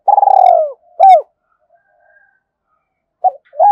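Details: Cooing of a spotted dove used to lure other birds: a rolling low coo, a short second note, a long silence, then two more brief coos at the end.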